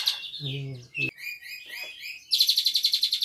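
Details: Singing unprompted, an Asian pied starling in Cililin style with borrowed canary phrases gives slurred whistles and chatter, then a rapid pulsing high trill, while a man's voice briefly cuts in.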